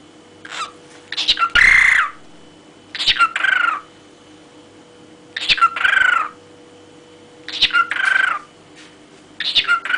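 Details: Pet cockatiel singing comically, repeating short phrases every second or two: a quick chatter then a whistled note sliding up and falling, over a steady low electrical hum.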